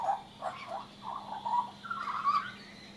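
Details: Singing on a railing, a young Australian magpie with leucism gives a string of warbled, gurgling notes ending in a louder rising whistled phrase.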